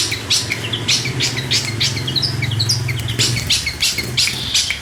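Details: Lively song of a long-tailed shrike from Priangan, West Java: fast jumbled high chirps, short upslurred whistles and harsh buzzy notes in quick succession over a constant low droning hum.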